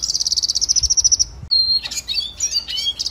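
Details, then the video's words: Training song of the red siskin, a finch of northern Colombia and Venezuela: a rapid steady trill of repeated high notes, a brief clear whistle, then a jumble of twittering, sliding chirps. "Red Siskin Singing Training Song - Canto Pintassilgo venezuelano"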